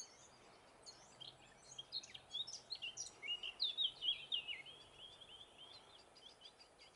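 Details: Eurasian blackcap (Sylvia atricapilla) singing in northern Gran Canaria, May 2020: a quick, scratchy warble building into louder, clear fluty notes, then trailing into softer chatter, over a faint hiss.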